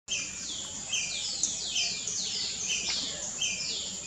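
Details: Tickell's blue flycatcher singing in Perlene Forest, Goa, 2017: a rapid run of high, sweet notes sliding downward, repeated closely over four seconds against a steady, high-pitched background hiss.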